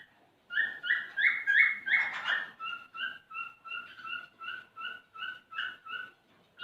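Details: Male cockatiel song aimed at prompting a female to mate: a few strong rising whistles and a short harsh noisy burst, then a long, even run of softer paired whistled notes repeated about three times a second.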